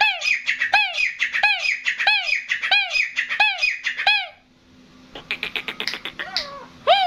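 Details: Grey francolin, a local desi teetar, calling in a series of loud harsh squawking notes, each a sharp arched stroke repeated about every third of a second, stopping midway, then a burst of buzzy rapid notes and another squawk.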